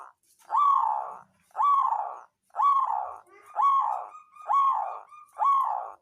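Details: Zebra dove, local songgo ratu bird, played to provoke rival birds and encourage reluctant singers: six strong purring coos in steady rhythm, about one per second, with a thin sustained tone between later notes.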